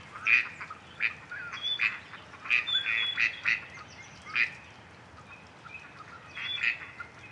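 Gadwall giving short, nasal, reedy quacks in an irregular series of about a dozen notes, some in quick pairs, with a brief pause before a final cluster.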